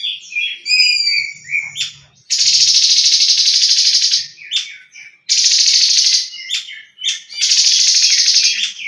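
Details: Leafbird tembakan song: it opens with varied whistled and twittering phrases, then gives three sustained, intense buzzing rattles of one to two seconds, separated by sharp clipped notes. Soft low rumbles are heard early on.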